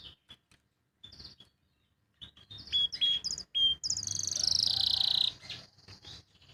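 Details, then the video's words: Canary just after its moult, not yet in full song: scattered sharp chirps, then bright high whistled notes building into a loud, buzzy, rapid trill held for over a second before fading back to single chirps. "suara burung kenari pasca mabung"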